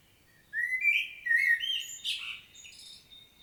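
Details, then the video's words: Common blackbird recorded in Świnoujście, Poland, on 25 September 2022, singing a mellow, fluting phrase of rising whistles that ends in a squeaky, twittering flourish. "Blackbird's solo"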